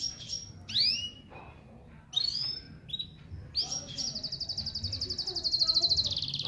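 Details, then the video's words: Cross-bred gulsir canary from Parachinar, 2022, singing: sharp upward-swept whistles and short chips, then a long rapid rolling trill from about four seconds on, pulsing steadily and growing louder; faint room noise below. "GulSir qanary Cross gulsir full singing rolling sounds"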